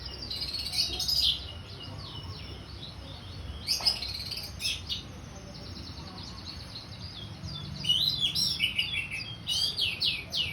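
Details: Orange-headed thrush singing ngeplong: energetic bursts of fast, high whistled and chirping notes at the start, middle and end. Quieter, scratchy twitters run in between.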